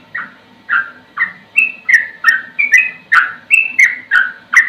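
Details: Yellow-vented bulbul with slow singing and a rapid run of notes: bubbly whistled phrases, some falling and some rising and flat, repeated about every half second, with a faint low chatter behind.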